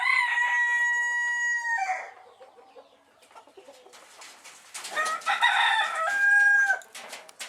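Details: Phoenix rooster, excited, crows twice. A long, steady, ringing note opens and drops at the end. After a quiet gap with scattered noises, a second rougher crow rises and settles into a held tone.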